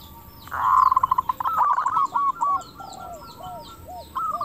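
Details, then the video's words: Zebra dove of a local type, singing actively with a clear crystal-like voice, used as a lure to draw replies; a loud rolling coo opens, breaks into rapid staccato notes, then softer hooked coos, with a fresh phrase at the end. "PERKUTUT LOKAL GACOR SUARA KRISTAL - Pancingan perkutut bikin cepat nyaut"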